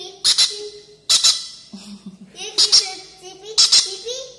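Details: Twenty-day-old pineapple conure chick eating baby bird formula: harsh, raspy squawks in double bursts roughly once a second, with lower tonal murmuring sounds between them indoors.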